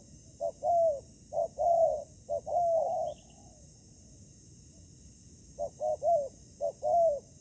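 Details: Spotted dove during trapping, a decoy encountering fierce wild birds that fight briefly and then leave. Two bursts of rhythmic coos, each made of short hoots leading into longer falling notes, are separated by about two seconds of silence.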